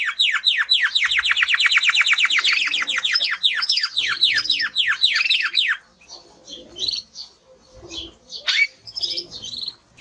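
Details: Male timbrado canary delivering a fast series of rapidly repeated descending notes for about six seconds, then sparser high chirps and twitters.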